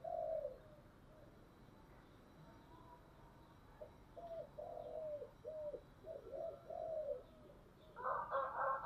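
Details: Spotted dove decoy with a deep 'giọng thổ' voice, calling to attract wild doves, gives low coos at the start and a rhythmic run of short coos midway. A harsh broadband noise follows at the end.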